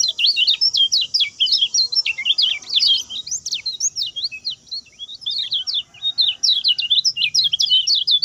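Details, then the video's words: Continuous high-pitched twittering of a lemon-bellied white-eye, a short speedy song for training other birds, with quick slurred chirps and squeaks tumbling almost without pause throughout. "SUARA KECIAL KUNING SPEED PENDEK, TERBAIK UNTUK MASTERAN"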